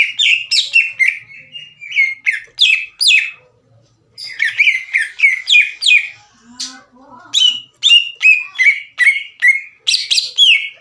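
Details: Aggressive greater green leafbird sings loudly with harsh shot-like bursts, goading rival leafbirds to fight, using its own fill-in phrases. Rapid bursts of sharp descending whistles in runs, a brief gap, and a faint low sound midway.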